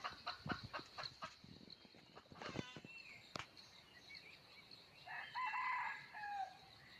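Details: ['Red junglefowl cock, lured in the wild with a captive hen on 17 March 2020, gives one brief, rich crow late in the recording after a run of sharp clicks and rustling, over a constant high insect drone.']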